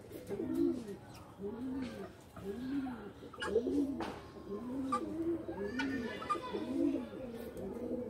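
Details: Loft pigeons giving deep, bowed coos repeated roughly every second, each a low swelling purr, with soft clicks and shuffling in the room.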